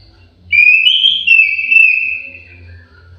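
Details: Orange-headed thrush kept in an aviary, giving one sustained whistled phrase of about two and a half seconds that wavers slightly and slowly falls away, with a faint low hum beneath.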